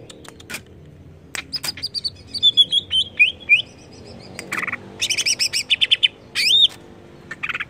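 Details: Greater green leafbird song played to stir up the bird: soft high twittering with short slurred whistles, then dense buzzy bursts and a rapid run of bright chips.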